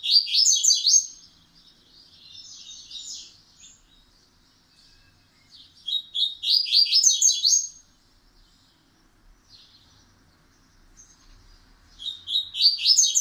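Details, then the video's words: A kept Double-collared Seedeater (coleiro) whose 'pancadão' song is gradually becoming steady sings bright, rapid bursts of high, buzzy-sweet notes, phrases of one to two seconds repeating after pauses of several seconds. "Coleiro Pancadão aos poucos firmando"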